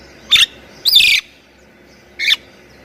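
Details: Thai-bred jalak kebo Javan myna giving lively 'tembakan' song phrases, used as a master recording for training other mynas; three sharp, buzzy whistled bursts, the middle one longer, separated by short pauses against faint hiss.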